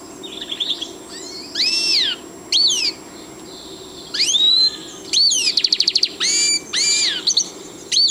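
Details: Siberian goldfinch singing: loud slurred upward and downward whistles, a buzzy note and a short rapid trill, delivered in bursts separated by brief pauses, over a steady low hum.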